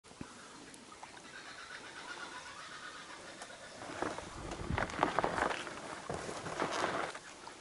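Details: A laughing kookaburra, heard during a kayak pig hunt, breaks into loud, rapid, rolling hoots and cackles in the second half, over a steady background hiss and outdoor noise.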